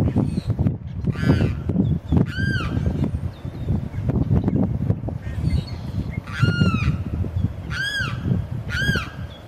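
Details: A male Limpkin cries repeatedly to attract a mate, giving loud, ringing, arched wails at uneven intervals, over a steady low rumble of wind or distant noise.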